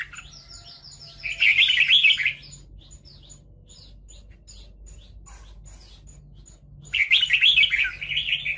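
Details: Red-whiskered bulbul singing during fighting at a trap, two loud chattering, warbled bursts about five seconds apart, with faint quick descending chirps and soft ticking in between.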